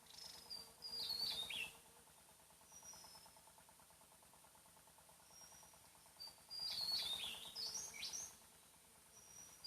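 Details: Javan tesia in the wild on Java, whose loud call carries far, giving two sudden, high, tumbling bursts of jumbled notes about five seconds apart between thin, drawn-out whistles; faint insect hum behind.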